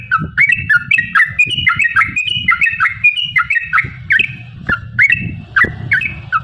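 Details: Yellow-vented bulbul giving a long rapid run of song meant to provoke other bulbuls into singing: a dense stream of gurgling, rising and falling whistled notes, nearly continuous, over a low background hum.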